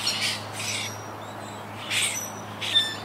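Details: Quaker parakeets living wild high in trees at a yacht club colony regrouping since Hurricane Irma in 2017: paired harsh squawks, a pause, then two more grating calls, with a low steady hum.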